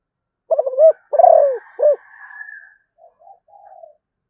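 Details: Zebra dove song: three loud, quick, throaty rolling coos, then a faint higher drawn-out tone and a few soft short low coos fading away in a quiet setting.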